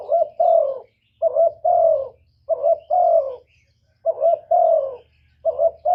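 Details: Decoy spotted dove cooing to lure and provoke wild doves: low, mellow two-part coos, a short note then a longer falling one, repeated in five phrases with brief pauses and a faint low hum underneath.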